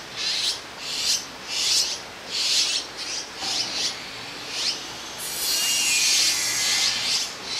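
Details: Azure-winged magpie fledglings perched together on a branch in Jirisan National Park, waiting to be fed by a parent; repeated raspy, hissing begging calls merging into a continuous harsh rasp toward the end.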